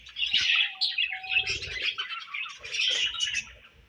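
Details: Budgies chirp in a dense, continuous warble of bright, scratchy notes, with a louder burst at the start and another near the end, plus a faint low thump in the middle.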